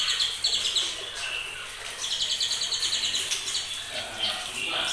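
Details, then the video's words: White-rumped shama just over two months old, of champion stock, singing trotolan: bursts of quick high repeated notes, a few lower whistled phrases between runs, and a final stuttering series. "TROTOLAN TRAH JAWARA"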